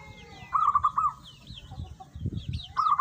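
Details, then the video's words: Local zebra dove (perkutut) singing actively in the Pendowo mijil style, used as a lure sound: a rolling, trilled coo of quick notes, then another burst near the end, with small birds chirping high in the background and low rumbling noise. "perkutut lokal gacor Pendowo mijil"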